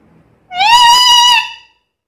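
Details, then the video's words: Talking black-capped lory producing a single sustained, nasal, horn-like note of about a second, rising slightly at the start then holding steady. "BURUNG NURI KEPALA HITAM GACOR BISA NGOMONG SUPER CEREWET"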